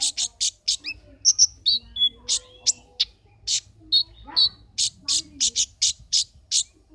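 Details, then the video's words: Brown-throated sunbird singing for an online singing competition in Temanggung, June 2020, caged: a steady run of short, very high, scratchy chirps about three a second, mixed with a few clearer whistled notes. "Konin Gacor | Lomba Konin online Part 2 Juni 2020"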